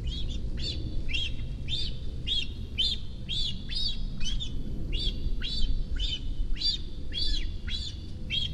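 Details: A young cinereous vulture at the nest, one month after fledging, in Sierra de Guadarrama National Park near Rascafría, begs for food on sighting the adult female. It gives a fast, steady run of high, arched chirps roughly twice a second over low rumbling background noise.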